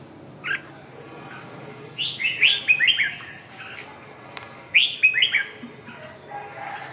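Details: Red-whiskered bulbul, called phong sơn, mí đỏ, rơm tê giác, siêu ché, uttering two short bubbly phrases of linked whistled slurs about three seconds apart over quiet background noise.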